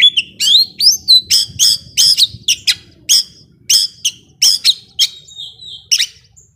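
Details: Young wild Oriental magpie-robin from the forest singing intensely: loud, varied bursts of rich whistles and harsh chattering notes repeated in quick succession, with faint low rumble underneath.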